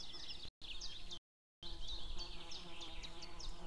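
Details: Female white-tailed eagle calling outside with a male calling from a distance, recorded 2 May 2016 just before noon: series of high, sharp, downward-slurred yelps, steady and evenly spaced, interrupted by two brief silent gaps, over low background hum.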